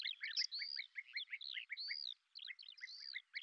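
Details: A lesser grey shrike, a predator noted for hovering in place while hunting, gives quick scratchy chattering notes mixed with clear, slurred whistles, a busy jumbled phrase running without pause; filmed in Azerbaijan.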